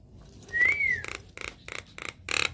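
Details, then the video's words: A Nias hill myna used as a lure to make other mynas sing gives one clear arched whistle, followed by four short harsh squawks spaced about a third of a second apart. "PANCINGAN / MASTERAN JALAK NIAS GACOR, TEMBAKAN DAHSYAT 🔥 |INDIAN MYNAH BIRD CALL"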